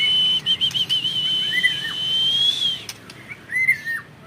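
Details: Caged white-rumped shama of a champion line gives a long, steady high whistle that rises briefly at the end, followed by short slurred whistled notes; a sharp click cuts in midway.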